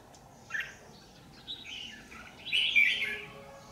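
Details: Red-whiskered bulbul acting as a trap lure beside power lines, 27 January 2019; fainter scattered notes, then one louder rich warbled phrase toward the end.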